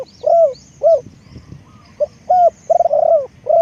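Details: Lure spotted dove delivering soft low coos in a loose rhythm, single arched notes followed by a brief stammering trill that runs into an extended coo, small chirps from other birds in the distance.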